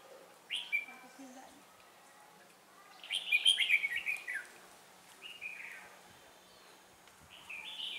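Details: Red-whiskered bulbul singing as a trapping decoy while wild birds chase one another: scattered bright whistled phrases, one louder warbled burst in the middle, then further short rising notes, with a low steady hum beneath.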